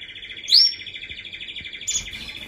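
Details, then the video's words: Steady rapid canary trill at mid pitch, broken by two sharp, high upward-slurred notes, one near the start and one near the end. "Canary singing"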